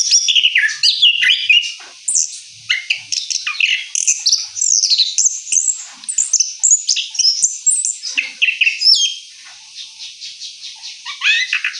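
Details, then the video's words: Orange-headed thrush (anis kembang) singing a rolling song after its moult: a long, continuous run of varied whistled and twittering phrases, fast rolling trills and sweeping notes, high-pitched and almost unbroken for twelve seconds, with no other clear sounds. "Anis Kembang Ngeroll Setelah Mabung"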